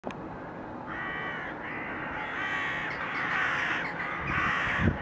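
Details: Crows recorded in February 2023, several harsh caws overlapping across most of the clip, building louder toward the end over a steady low rumble of background noise.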